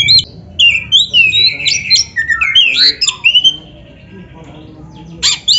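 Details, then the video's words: A lively Oriental magpie-robin song, used as a training track to provoke caged birds into singing, with slurred whistles and harsh chattering notes crowded into two seconds, then a quiet pause and a brief final burst. "PANCINGAN SUARA KACER GACOR untuk latihan‼️100% ampuh bikin KACER NARUNG BUKA EKOR DIGANTANGAN"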